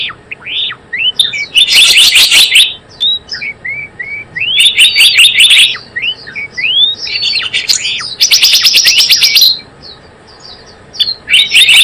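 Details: Lure recording of Java sparrow for trapping: scattered slurred whistles building into loud bursts of rapid staccato chirps, repeated several times across the stretch.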